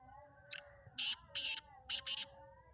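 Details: Harsh, grating phrase from a Sindhi black francolin of the Speeder kind offered for sale: brief lead-in note, two drawn-out scratchy bursts, then two quick rasps, against a soft background hum.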